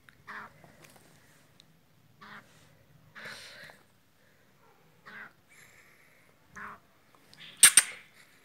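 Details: Calling to his mate, a male black francolin gives a series of coarse, grating notes separated by pauses of one to two seconds, ending with a sharp loud click.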